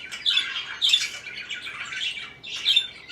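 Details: Parakeet chirping in brief bursts of scratchy, squawky chatter, four rough phrases following one another within a few seconds.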